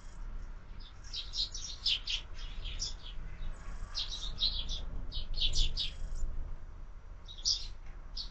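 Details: Morning sparrows at a feeder on a window give clustered high chirps in irregular bursts, with brief lulls and a last isolated call near the end.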